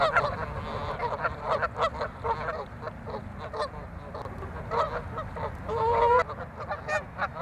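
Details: Several Canada geese clash in an ongoing turf war at a lake on Chicago's North Side, giving a busy stream of harsh honks with one longer, clearer drawn-out call near the six-second mark.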